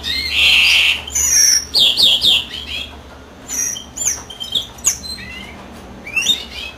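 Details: European greenfinch singing while the female incubates: a loud buzzy wheeze opens, followed by quick twittering notes and softer chirps.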